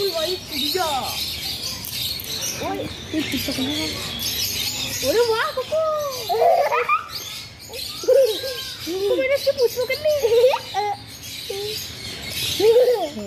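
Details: Blue-and-yellow macaw talking in scattered, curved, voice-like syllables, some rising sharply and some arched, loudest in bursts around the middle and end, separated by short quiet gaps.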